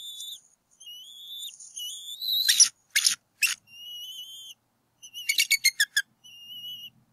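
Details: Nesting bald eagles at Berry College, northwest Georgia, April 2018, with the male chasing an intruder from the nest; high, level whistled notes broken by two volleys of sharp, staccato chattering pulses.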